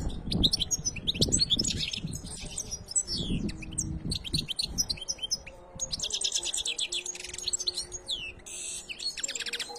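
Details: Canary singing: rapid high trills and twittering chirps in long running phrases, fast repeated notes and buzzy rolls, with low thumping and clattering background noise in the first half.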